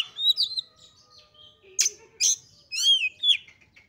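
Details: Female Oriental magpie-robin used to provoke males: a wavering whistle, two sharp raspy bursts, then a clear arched whistle falling away, with a faint low hum in the background.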